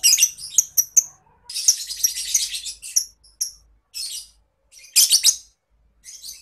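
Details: Lovebird in ngetik style, recorded as a tutor sound for contest birds: dense, fast, scratchy chatter in bursts, mixed with quick bright ticks and brief silent gaps.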